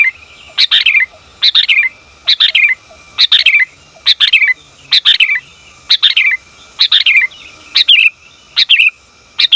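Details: Female sooty-headed bulbul calling the male, a recording meant for luring and tutoring bulbuls; steady series of about ten short chirruping bursts, roughly one per second, each a quick rising then dropping chatter, quiet surroundings.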